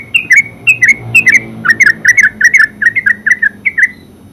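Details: Yellow-vented bulbul, known as terucuk, singing full ngeropel song: a steady string of bubbly two-part chirps, each falling slightly, coming quicker and closer together as it goes, with faint low hum behind.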